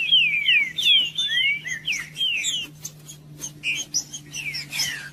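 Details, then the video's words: Green-winged saltator singing, its song used to warm up and stimulate cold caged birds for singing tournaments: loud, clear whistled phrases, each sliding downward, given roughly once a second, over a faint steady low hum. "TRINCA-FERRO CANTANDO"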